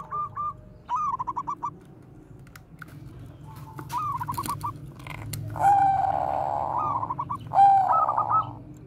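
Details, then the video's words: Zebra dove, Bangkok line, bekur koar-koar lure song for training other doves: bursts of fast stuttering notes, then two long purring coos, with clicking noises between phrases. "perkutut BANGKOK BEKUR KOAR-KOAR bagus untuk PANCINGAN PERKUTUT"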